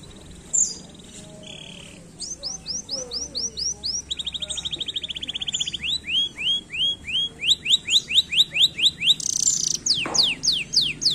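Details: Canary song building in intensity: scattered chirps and a brief buzzy trill, then a long accelerating series of repeated curved whistles grows louder toward the end, broken by a sharp click.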